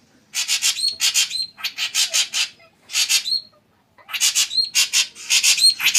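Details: Shrike singing rapid rasping, chattery notes in quick series, broken by thin whistles, in phrases of about a second with brief silences between.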